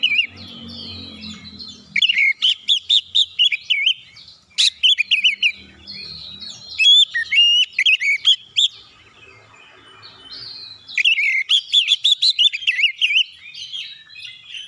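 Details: Oriental magpie-robin delivering song to set other birds singing: three long bursts of rapid, varied whistles and chattering notes, divided by short silences, with faint low noise early on.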